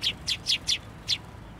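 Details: Sparrows crowding a narrow post for food at a Tenmangu shrine, 22 January 2024: five sharp, high chirps, four close together and one after a brief pause, over a quiet background.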